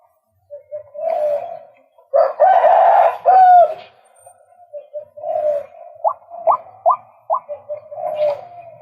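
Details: Male white-breasted waterhen: low, soft calling builds into a harsh, rasping burst, then a quick series of four sharp upward-flicked notes and a final rough phrase.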